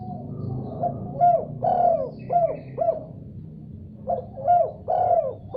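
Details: Spotted dove responding vigorously after hearing another call: two phrases of soft, hollow coos, each a few short notes followed by a longer drawn-out coo, over a low steady hum.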